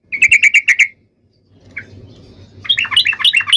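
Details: Fighting song of a yellow-vented bulbul used as a lure for other bulbuls: a fast, even rattle of notes, a silent gap with one chirp, then quick jumping chatter.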